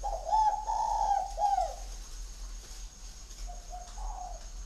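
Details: Spotted dove kept at a breeder's aviary in Ba Vì district, Hanoi, Vietnam, a bird of the "giọng Son" voice style: a low, mellow cooing phrase of three slurred notes, then softer trailing coos, with a faint steady hum.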